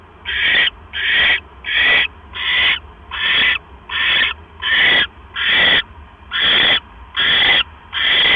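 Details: Owl calling at night while one of the pair brings a mouse to the nest, 9:40 PM on October 12, 2015; a series of hoarse, raspy screeches repeated about once every 0.8 seconds, steady and loud.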